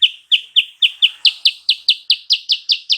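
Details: A sooty-headed bulbul lure for stirring a rival to answer: a steady, rapid string of about thirteen bright, clipped chirps, roughly four per second, growing slightly louder and buzzier midway.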